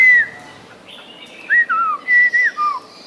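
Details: Caged, tame Chinese hwamei singing between bites of food, delivering brief clear whistles that slur downward, in a short, even sequence of five or six notes over a quiet background.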